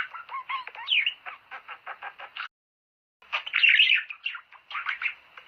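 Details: Budgerigar song to encourage breeding: a steady series of rapid clicks and short chirps, a brief silence, then a louder spell of squeaky, buzzy warbling.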